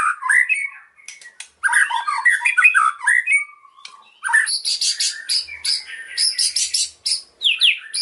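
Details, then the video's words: Hard-driving white-rumped shama with cililin fill-in song: scratchy, harsh mid-pitched chattering bursts and squawky notes, followed by clusters of high, clipped, buzzy notes in short stuttering phrases separated by brief pauses. "MURAI PASTOL BONGKAR ISIAN CILILIN AUTO NGAMUK"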